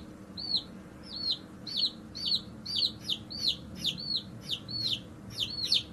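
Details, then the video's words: Baby chicks chirping loudly: strong, high, hooked peeps that rise then drop, given steadily about twice a second with fainter chirps behind. "Chicks (and Chirping)"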